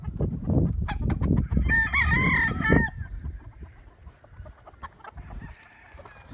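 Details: Roosters and chickens at wake-up time: one loud, drawn-out crow with a wavering tone from about 1.7 to 3 seconds over busy clucking, then quieter clucks and a distant answering crow.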